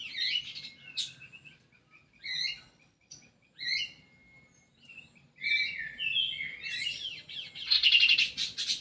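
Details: An aviary-kept Indonesian kidangan kaso kaso sings short warbled phrases linked by thin steady whistles, then breaks into a long, fast, tumbling run of mixed notes that ends in a harsh, buzzy flourish.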